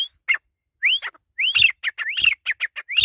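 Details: Grey francolin in jungle, calling in a loud, uneven series: upward-sliding whistles, each followed by short, harsh, staccato notes, the pattern speeding up toward the end with no clear background sounds.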